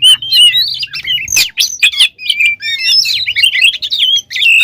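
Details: Full isian song of an oriental magpie-robin, used as a lure to make other birds sing and get excited: dense sweet whistles and twisting chirps, a short break near one and a half seconds, then fast varied phrases over a low hum.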